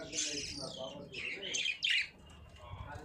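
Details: Budgies chirping in a quick warbling run of scratchy, sweeping notes, some falling in pitch, fading to quieter chatter near the end with low background rumble.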